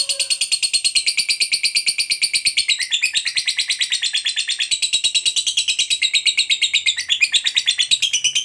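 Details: Fighter lovebird in sustained long 'ngekek panjang' chatter, said to prompt other lovebirds to sing: an unbroken, raspy, high trill of steady pulses lasting over eight seconds, shifting slightly in tone midway.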